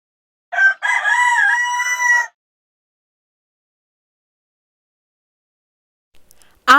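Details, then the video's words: A rooster on a farm gives one full crow, loud and ringing with a rising then falling line, lasting under two seconds; a second crow begins as the recording ends. "Great job. If you listen closely, you can hear the rooster."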